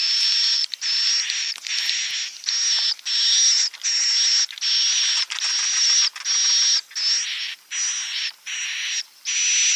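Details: Swiftlet calls played as a lure sound for roosting: harsh, hissing, rasping bursts about half a second long, repeated over a thin high whistle-like tone, with brief gaps between them.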